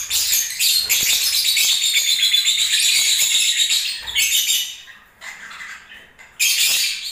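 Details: Lovebird song during breeding season, a long unbroken stream of rapid, high, buzzy twittering lasting several seconds, then a short pause and a fresh burst.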